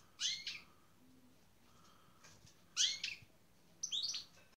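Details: European goldfinch paired with a canary for breeding, giving three short, loud bursts of high twittering notes with slurred rising and falling elements, separated by quiet gaps of about a second.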